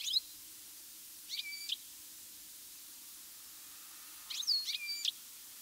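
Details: European goldfinch calls in mid-August, recorded over three days of good weather; one bird moves its whole body as it calls. Two short bursts of bright, high twittering notes stand apart over a quiet background with a faint low hum.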